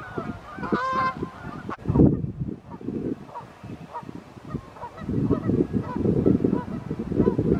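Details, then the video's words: Canada geese in evening flight, summer or fall 2020: a clear brassy honk near the start, then scattered fainter honks among low rumbling bursts. "Canada Geese flying and honking"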